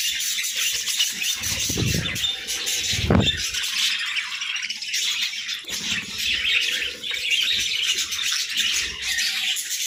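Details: Pet budgies at their morning routine: nonstop high warbling chatter from many birds, broken by harsher squawks and two louder low thuds, like flapping or landing, near the two- and three-second marks.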